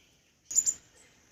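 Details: Crimson sunbird, known as moupiya in Assamese and phulsunia in Hindi, giving two quick, very high, thin chipping notes in close succession, followed by a faint high trailing note over a quiet background hiss.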